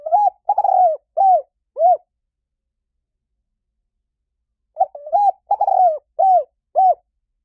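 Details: Spotted dove repeating its cooing phrase twice: a short note, a longer wavering coo, then two rounded descending coos, with a pause of nearly three seconds between the phrases in quiet surroundings.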